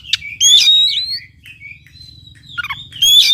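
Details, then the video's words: Oriental magpie-robin singing to rouse a quiet bird: loud harsh buzzy notes with a rising whistle, warbled slurs, a falling rattle, and a closing strident rising whistle. "PACINGAN &MASTERAN KACER MALES BUNYI"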